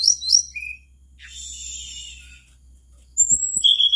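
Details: Mangrove blue flycatcher in lively full song, meant to prompt other flycatchers to join in: bright high whistled notes, a lower short whistle, a soft buzzy warble, then loud sharp high whistles at the end over a low steady hum.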